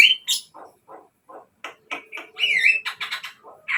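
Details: Javan myna song used as a lure for captive birds: scattered squeaks, a clear whistled note, low soft chatters and a rising-falling whistle, with gaps of silence between phrases.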